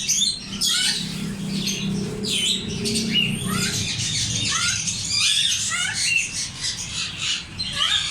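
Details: African grey parrots giving loud, harsh squawks and sharp rising and falling whistled notes, several overlapping, with a low hum underneath during the first few seconds.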